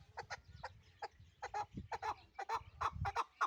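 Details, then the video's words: Pamir chukar partridge from Dushanbe city, Tajikistan, giving a fast, uneven series of short, harsh clucking notes, nearly three per second and growing louder, with a few low thuds between them. "Кабки Помир"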